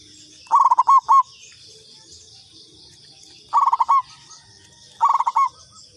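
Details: Zebra dove of a local strain, used to lure others, repeats a stuttering coo phrase three times. Each phrase is five or six quick mellow notes that slow into a held final note, with steady background hiss.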